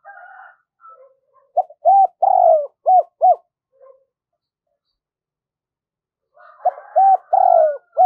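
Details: Decoy spotted dove in the 'giọng thổ' voice calling wild birds to it: two bursts of low, rounded coos, each a short run of notes with one drawn-out falling coo, separated by a few seconds of silence, with faint higher tones.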